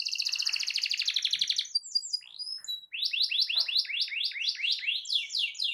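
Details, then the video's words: Canary song to stimulate a silent canary: a fast pulsing trill, scattered high chips, then a run of repeated rising whistled notes about four per second. "Terapi Ampuh Burung Kenari Macet Dijamin Langsung Ikut Bunyi II Masteran Suara Burung Kenari Gacor"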